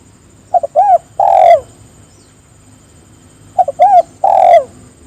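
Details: Spotted dove calling to draw other doves into calling, two matching phrases about three seconds apart, each two short clipped coos followed by a rounded coo and a long, loud, falling coo, over quiet background hum.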